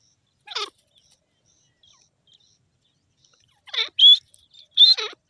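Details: Francolin, known locally as teetar, calling: a lone harsh, buzzy note, then after a long silence three loud rasping notes in quick succession, the last two carrying a short whistled inflection; background otherwise quiet.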